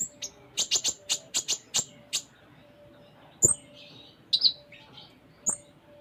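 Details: A konin (Van Hasselt's sunbird) in full varied song opens with a rapid run of about nine sharp high ticks, followed by scattered buzzy chirps and a thin whistled note.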